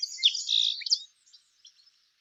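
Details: Song Sparrow, a species common in Montana, often singing from high in a willow near water, gives a second-long, bright, jumbled burst of shrill introductory notes, high chirps and buzzy trills, trailing off into a few faint scattered notes.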